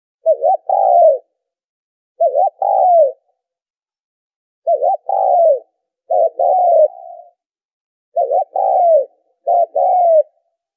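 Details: Spotted dove coos played to lure birds for trapping: irregularly spaced phrases, each a brief stuttered note followed by a drawn-out descending coo, with gaps of one to two seconds.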